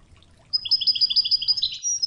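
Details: European goldfinch singing in the Wedani style for training: a brisk, high, evenly repeated chirping trill of paired notes that starts suddenly and runs to the end, with a faint low water hum beneath.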